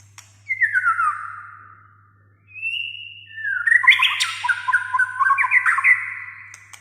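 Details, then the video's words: Singing white-rumped shama, played to coax a silent shama into song: a clear descending whistle, a pause, a flat high whistled note, then a dense burst of fast jumbled whistled phrases, with a low electrical hum behind. "suara kicau burung muraibatu GACOR,sangat AMPUH Pancing Murai malas Bunyi Langsung NYAUT!"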